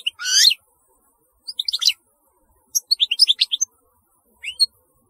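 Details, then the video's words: European goldfinch singing in short, separate bursts of high, tinkling twitters and a quick rising-falling trill, with clear pauses of about a second between phrases and no other sounds. "تغريد رهيب للحسون"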